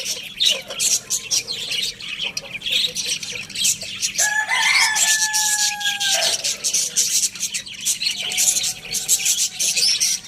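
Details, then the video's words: Lohmann Brown rooster at Lalukhet bird market crows once, a loud sustained harmonic cry lasting about two seconds that ends with a drop, over constant busy chirping and squawking from many small caged birds. "Adorable Rooster Crowing Sound Effect"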